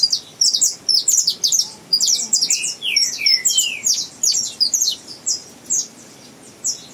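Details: Captive young Saffron Finch in song training, delivering a rambling string of high, thin chirps and short downslurred whistles in irregular bursts, spacing out toward the end.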